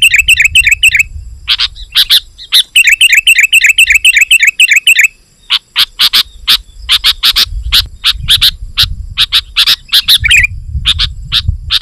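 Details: Sooty-headed bulbul singing energetically to challenge rivals, a recording for attracting wild bulbuls: opening runs of rapid, tinkling warbles, then a dense string of short, sharp chirps with one more brief warble near the end.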